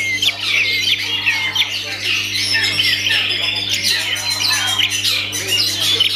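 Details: Long-tailed shrike belonging to a keeper, singing a restless mix of high whistled slurs, twittering and rasping chatter with barely a pause, backed by a continuous low hum.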